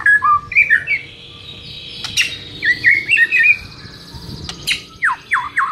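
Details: Murai training song meant to make a listening murai answer aggressively: varied whistled phrases and short warbles, sharp clicks, then a series of rapid descending whistled notes repeated about four times at the end, with faint low rumble behind.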